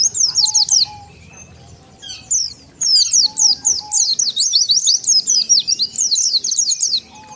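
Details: Oriental white-eye chirping as a lure for wild birds: an opening cluster of piercing high notes, a short lull, then a long busy stream of rapid twittering slurs.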